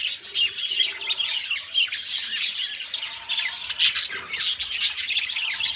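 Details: Pet budgerigars warbling continuously: dense, scratchy chatter mixed with squawks and sharp chirps, loud and unbroken throughout, with no other sounds.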